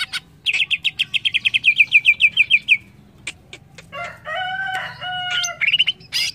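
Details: Greater green leafbird song, used to train captive birds to sing: a fast, even series of bright clipped notes for two seconds, then scattered clicks and varied, clear whistled phrases at several pitches.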